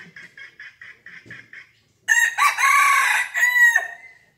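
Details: A red junglefowl five months old gives a fierce crow. Seven soft, regular pulses come first, then after a brief pause a loud, rasping, rich-toned crow in two strong sections, ending in a thin fading tail.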